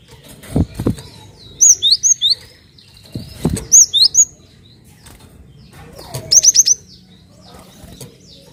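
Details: Cinereous tit lure call: three separate bursts of high, sharp, swept whistled notes, three to five notes each, spaced a couple of seconds apart, with soft thuds and clicks between them.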